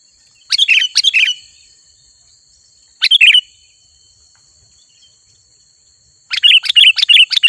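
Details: Sooty-headed bulbul singing in a lively, chattering style: three bursts of quick, bright, twittering notes separated by pauses of about two seconds, over a steady high-pitched ringing hum.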